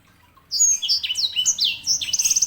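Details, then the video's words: Sanger canary hybrid bursting into loud, varied high whistles and swooping notes, ending in a rapid run of repeated chirps. "KICAUAN SANGER"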